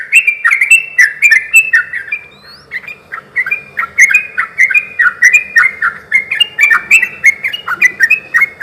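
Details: Sooty-headed bulbul song used as a lure to get other bulbuls answering: chattering run of short liquid whistles, a brief lull with a single upslurred note, then steady paired phrases repeated quickly.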